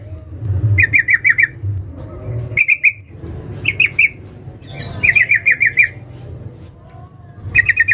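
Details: Calling female sooty-headed bulbul, used to lure a male: rapid clipped bursts of five or six bright notes alternating with pairs of sharp chirps and quiet gaps, low rumble beneath.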